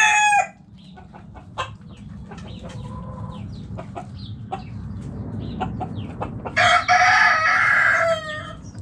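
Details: Hens clucking in a backyard coop: irregular short clucks and soft calls, then a loud harsh rooster crow lasting over a second, over a constant low hum.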